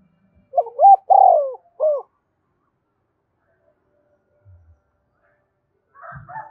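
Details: Spotted dove luring other doves with a single mellow coo phrase of two quick notes, a long falling coo and a short end note, followed by near silence and a faint rustle.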